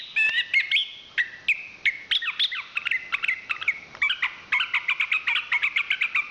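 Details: Chestnut-capped thrush (anis kembang), a national champion singer, producing a busy sequence of short chirps and buzzy rattles, nearly three notes per second, with brief pauses between bursts.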